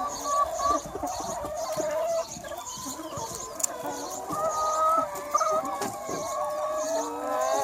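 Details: Chickens in a free range flock on a sunny spring day, busy chorus of clucks and sustained tonal calls layered over one another, with short sharp notes scattered throughout.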